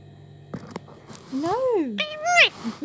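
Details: A pet Indian ringneck parakeet chatting to itself talks in a high, nasal, sing-song voice, two quick arched phrases of mimicked human words such as "be a good boy", after a few soft clicks.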